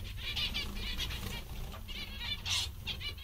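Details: Zebra finches, described as funny and very happy, giving a stream of short nasal, harmonic-rich calls with several bursts overlapping, over a steady low hum.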